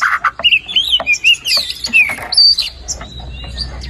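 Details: Brief burst of white-rumped shama song, meant to rouse a silent bird: several high clear whistled notes and sweeps with a few harsh chirps, fading near the end.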